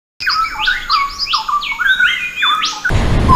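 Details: Nightingale song: a quick run of varied, clear whistled notes and slurred phrases that swoop up and down, rich and musical, ending abruptly in a short burst of rough noise.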